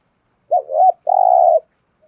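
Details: Spotted dove cooing in the thúc gù style: a short, wavering two-note coo, then a brief gap and a longer, level, slightly purring coo, clear against silence.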